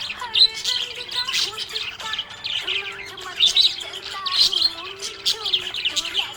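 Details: Contented budgerigar producing chattering warbles with brief whistled sweeps, continuous and lively, over soft background music.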